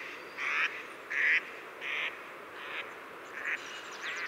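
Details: A Pacific black duck gives six nasal quacks about one every second. Each quack is a little softer than the one before.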